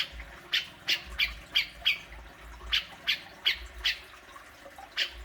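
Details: Grey-cheeked bulbul, intended to stir a pet bird into calling: a dozen scratchy, abrupt chattering notes in uneven groups, some doubled, over a faint low hum.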